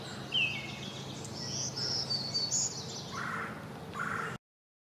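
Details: A Hooded Warbler (Setophaga citrina) sings a quick run of clear, slurred whistles that climb higher and end emphatically, followed by lower notes, over a steady background hiss.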